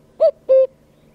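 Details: Himalayan cuckoo (Cuculus saturatus), call.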